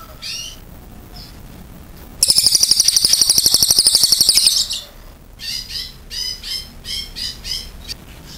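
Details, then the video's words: Cililin singing with a clear voice: a few high chirps, then a long, fast, evenly pulsed shrill rattle of over two seconds. A string of short rising chirps follows. "CILILIN GACOR NEMBAK PANJANG SUARA JERNIH"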